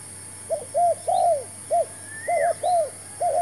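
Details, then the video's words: Spotted dove, a newly brought decoy bird used to lure others into a trap, giving two short phrases of low, mellow coos, each a few hollow notes with a longer drawn-out middle note. A faint higher slurred whistle and steady high insect hum sit behind. "MEMIKAT TERKUKUR.BAWA BURUNG BARU (BB) DAN CUBA JEBAK BARU"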